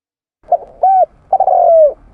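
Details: Tekukur, the spotted dove, calling as a lure sound: three mellow low coos, two short notes followed by a longer drawn-out note that slides gently downward.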